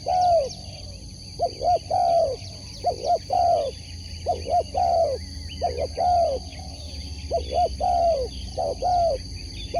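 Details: Sport spotted dove singing a steady run of coo phrases roughly every one and a half seconds, short soft notes then a long falling coo, over faint bird twitter.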